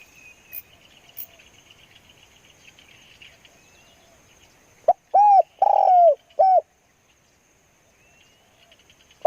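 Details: Spotted dove used as a decoy for trapping. A faint background of trilling insects gives way to one loud cooing phrase: a short note, then low coos with a longer rough-edged middle coo, followed by quiet and one final clipped note.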